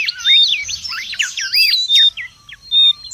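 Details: Mangrove whistler in the wild, a lure and tutor recording: a loud tumbling phrase of looped, warbling whistles followed by short clear notes and brief pauses.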